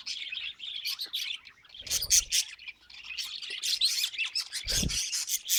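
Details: Pet budgies chattering steadily in high, scratchy warbles and quick chirps, broken by two low muffled bumps.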